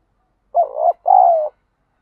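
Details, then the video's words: Spotted dove urged to fight in decoy training: one clear hoarse coo of two joined syllables, a short note then a longer, steady, slightly falling one. "chim cu gáy thúc đấu, tiếng chim cu gáy kích bổi rất lẹ nổi, tiếng chim cu gáy luyện mồi hàng ngày"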